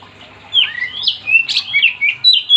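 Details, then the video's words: Energetic Oriental magpie-robin (kacer) song, meant to set other magpie-robins singing: a quick run of bright whistles, upslurs and buzzy slides that leap between pitches, with faint background hum. "Kacer gacor yang bikin Kacer lain ikut"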